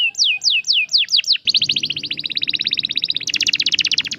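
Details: Canary song meant to prompt silent canaries to sing. Several sweeping whistled notes open it, then it runs into fast, dense rolling trills that speed up and brighten near the end. There is faint low background hum.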